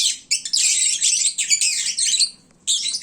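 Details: Drowsy, well-fed lovebirds at midday making a market-like din: harsh, high, overlapping chirps in a steady stream that breaks off near the end, then resumes briefly.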